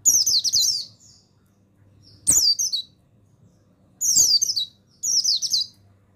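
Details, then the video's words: Male mountain white-eye (buxtoni), recorded to coax silent birds into full song: dense, shrill, rippling twitter phrases high in pitch, four bursts in about six seconds, some begun with a sharp click. "Begini Suara Pemasteran yang Untuk Pleci Bustomi Bahan Bikin Burung Pleci Bustomi Gacor Ngalas"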